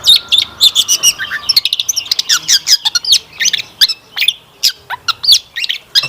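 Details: Lively long-tailed shrike singing richly varied fill-in phrases, a lure meant to set caged shrikes singing; fast high twittering and squeaky notes, with a brief low steady whistle early on and chattering bursts throughout.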